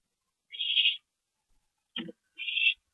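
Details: Owl at a nest at 2:40 AM on 22 April 2012 during a parent's brief stopover; two harsh, hissing rasps about two seconds apart, with a short knocking, clattering sound between them.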